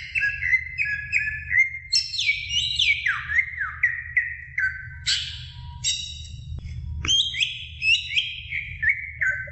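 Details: Greater green leafbird song to stimulate young birds: a varied sequence of whistled notes, many stepping downward in short slurs, with sudden higher flourishes, continuing for nearly ten seconds above a low hum.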